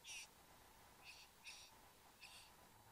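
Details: A pair of satin bowerbirds, male and female, in their bower in Australia on a November 2014 morning. Four brief grating buzzes, the first loudest, are spaced unevenly over a quiet humming background.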